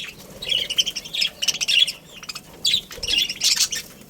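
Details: Budgerigar pair and family in a colony chattering: several loud runs of high, squeaky chirps and squawky notes, separated by brief pauses.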